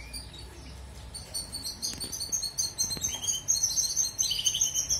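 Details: Song of a European goldfinch, offered as training material for canaries: rapid, bright twittering in a high register, liquid trills and chirps building toward the end, with faint low background rumble.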